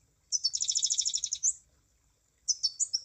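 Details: High munia trill of rapid, evenly pulsed notes ending in a rising squeak, followed after a pause by a few thin chirps.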